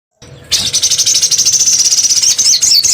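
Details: Crimson sunbird lure sound: a continuous, very high, fast trill of rapidly repeated sharp notes about ten per second, running steadily for over two seconds after a brief quiet start, with a faint low rumble underneath.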